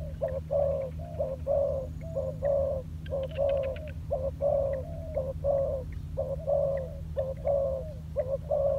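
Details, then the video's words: Spotted dove, a decoy bird in training on the ground, cooing in a steady series of mid-pitched, slightly quavering notes about once a second, with a persistent low hum and faint clicks in the background. "លលកធ្នាក់ចុះដីចេញក្បាច់បណ្តើរៗហើយ - Pikat Terkurkur trianing on land"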